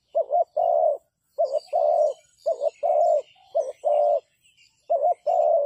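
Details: Decoy spotted dove used in trapping, cooing in a regular series of five phrases, each a short wavering coo then a long low croon. Thin chirps and twitters of other small birds sound faintly in the background.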